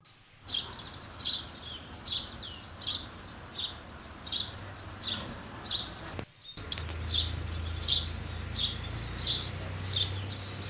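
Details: House sparrows, fed by the owner near houses, giving bright, short chirps about once a second, steady and repeated, over a low rumble of wind or distant traffic.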